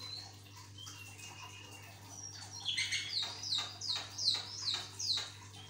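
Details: Javan myna singing vigorously, recorded as a training tape to set other mynas singing: after a quiet start, a run of about seven sharp, harsh, repeated chirps spaced roughly every half second, over a steady low electrical hum.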